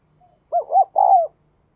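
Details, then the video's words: Spotted dove (cu gáy) cooing: a faint soft lead-in note, then three mellow hooting coos, the last drawn out and slightly falling, on a quiet background. "cu gáy"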